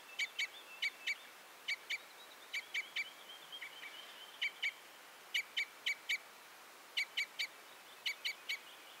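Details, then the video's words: Red crossbill calling: hard, emphatic 'jip' notes mostly in doubled or tripled bursts at irregular intervals, with a brief soft chattering passage in between; otherwise quiet. "The sound of the Red/Common Crossbill"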